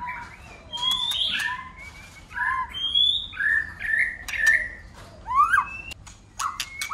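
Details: White-rumped shama singing in many voices during a song contest, tail flicking: separate mellow whistled notes at varying pitches, some level, some rising, with a few sharp clicks between them.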